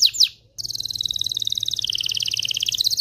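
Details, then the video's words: Excited domestic canary singing to stimulate males and prepare females for mating: two quick high sweeping notes, a short pause, then a long fast rattling trill of rapid repeated notes slowly dropping in pitch. "تغريد طائر الكناري هائج , لتجهيز الاناث و الذكور للتزاوج والغناء"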